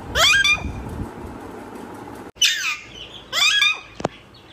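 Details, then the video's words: Parrot calling in loud harsh bursts with stacked, sweeping harmonics, three separate outbursts over a few seconds, the last cut short, above a low steady background hiss. "Raw parrot talking video talking parrot !!"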